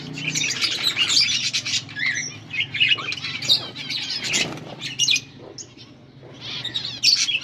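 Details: Budgerigar pair in breeding, giving mating calls on August 16, 2024: scratchy, buzzy warble with bright chirps and short whistles, a quieter pause near the end before chatter resumes; low hum present.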